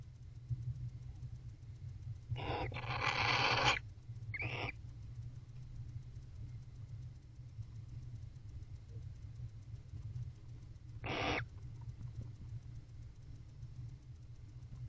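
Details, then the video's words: Wild barn owls, a bonded couple mating in their box on an October night, produce a long harsh hissing screech followed by a short one, then another screech after a pause, with low hum beneath. "Bonded Barn Owl Couple Mating, Unusual Vocalizations."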